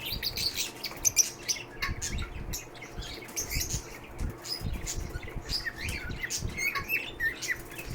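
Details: Shelter lovebirds keep up a busy chatter of thin high chirps and brief squawks, with a couple of sharp whistled notes early on, over a faint low rumble.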